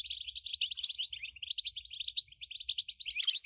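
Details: European goldfinch delivering unbroken 'batbata' song, used to excite goldfinches into nonstop singing: fast, dense twittering and tinkling notes throughout, over a low background hum.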